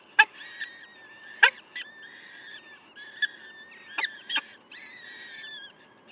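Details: Morning at a Wakefield peregrine falcon nest, 5 May 2021, 06:55: a run of nasal, wavering wails, some ending in upward slides, interrupted by loud clicks and scrapes.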